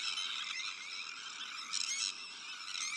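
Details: Dense colony chorus of Sandwich terns, with black-headed gulls, Arctic and common terns as neighbours: many harsh, grating, rasping high calls overlapping continuously, with louder bursts from nearby birds, while a herring gull that stole a chick is attacked from the air.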